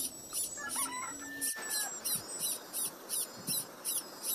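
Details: A late-hatched Little pied flycatcher chick, which often misses out on food, begs with high, hissy notes repeated steadily about three times a second, with a few faint whistles from other birds at the start.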